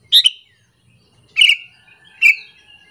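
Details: Lure call of a sooty-headed bulbul meant to anger other bulbuls: three brief sharp chattering phrases, each ending in a short trailing note, spaced under a second apart.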